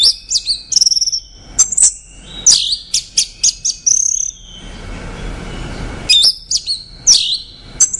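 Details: High, varied song of an orange-headed thrush: rapid chirps and thin whistles in rising and falling phrases, a pause of about two seconds, then further chirping.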